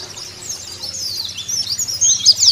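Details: Caged white-eye song for prompting other white-eyes to sing: a soft, high, continuous twittering warble that grows louder with a few sharp notes at the end, over a faint low hum.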